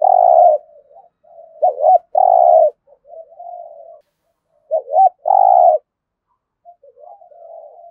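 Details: Competition cooing (thúc gù) of a spotted dove in Đồng Nai, Vietnam, thổ-style voice: a long low coo opens, then two phrases of quick paired notes each ending in a drawn-out coo, with quieter muffled coos in between.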